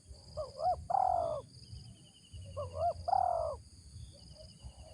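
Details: Spotted dove decoy bird with a 'ngeruk' style voice gives two phrases about two and a half seconds apart. Each phrase is two quick rising notes and a long, buzzy coo that falls slightly, with faint thin high chirps in the background.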